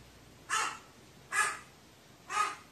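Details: Crow, recorded 15 May 2018, giving three harsh, hoarse caws spaced about a second apart over a steady hiss of background noise.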